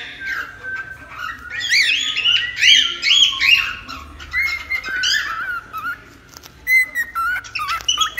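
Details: Cockatiel chattering indoors. A dense cluster of arched chirps gives way to longer level whistled notes, then a few sharp, scattered clicks and chirps.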